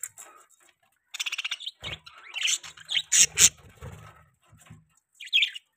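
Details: Young pet budgies making a few quick high chirps and thin squeaky notes, separated by silent gaps, with a pair of sharper, louder chirps near the middle.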